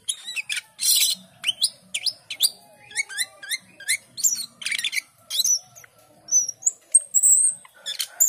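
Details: Asian pied starling singing a varied run of upslurred whistles, repeated chirps and harsh squawks, with high clear whistled notes toward the end.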